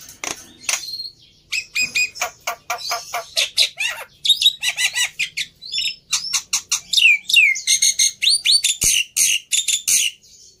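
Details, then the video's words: Black-winged myna in lively song, played to spur young birds into singing quickly: a dense, varied run of harsh chattering notes, high whistles and rising and falling slurred phrases, almost continuous for about ten seconds. "Sangat Ampuh Memancing Burung Jalak Putih Bahan Cepat Bunyi Anti Mandek || Jalak Putih Gacor"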